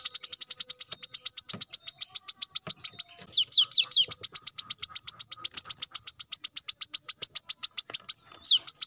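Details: Male plain-throated sunbird in the morning calling rivals: a long, unbroken, rapid run of sharp, high, ticking notes, briefly broken by a few downswept notes, then resuming at the same fast pace.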